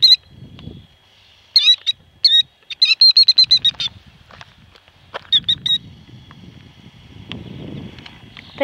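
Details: Killdeer mother guarding her speckled eggs laid behind a car: scattered bursts of high, sharp repeated notes, interspersed with low rustling and handling noises.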